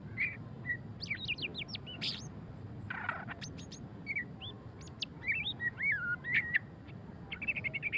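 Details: Ngeriwik singing of a white-rumped shama, locally murai batu pastol: scattered high whistled upslurs and chirps, a short noisy burst midway, then lively twittering and looping whistles toward the end, background fairly hissy.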